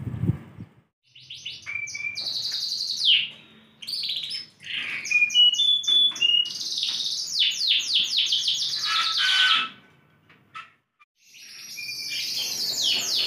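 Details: Yorkshire canary, ringed and described as a big-size, persistently singing bird: loud high song of rapid repeated rising and falling notes, trills and sustained tones, with brief pauses between phrases.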